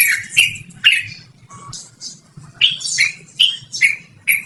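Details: Trucukan, the yellow-vented bulbul, singing loudly for luring or training birds: uneven clusters of squawky, slurred notes with sharp attacks, a lower brief tone near the middle, then a quicker run of chirps.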